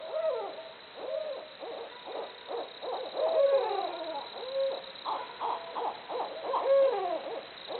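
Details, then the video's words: Barred owls hooting together, loud overlapping wild hoots and cackling calls with rising and falling slurred notes and drawn-out wavering 'hoo-aww' endings, repeated in a dense chorus throughout. "Barred Owls Hooting Away Making Jungle Noises."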